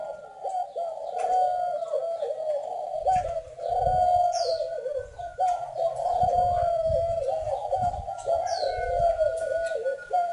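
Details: Captive Spotted Doves in breeding cages at an aviary in Ba Vì, Hanoi, Vietnam, coo in low, hollow, rolling phrases almost continuously. Thin chirps of small birds sound above, with occasional low thumps.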